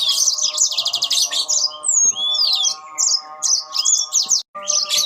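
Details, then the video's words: Yellow-fronted canaries trading song phrases: a dense high trill, then sliding whistled notes and short chirpy bursts, with a brief silence near the end and a steady hum underneath. "burung mozambil saut sautan"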